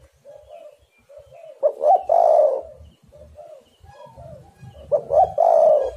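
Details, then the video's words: Spotted dove cooing, meant to lure other doves into calling: soft, low, repeated coos build into two loud phrases of short rising notes and a long sustained coo, about three seconds apart. "tekukur super gacor"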